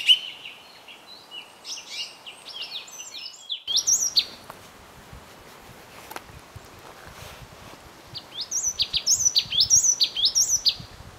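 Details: Yellow tit, taken with a Canon EOS 7D, uttering bursts of high chirping and sweeping notes at the start, a quieter noisy stretch with faint clicks, then a fresh run of rapid repeated chirps near the end.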